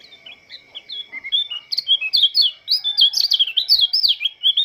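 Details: Morning song of an Oriental white-eye from Lombok: high, thin twittering that starts quietly with a few slurred notes, then bursts into a loud, continuous run of quick rising and falling chirps.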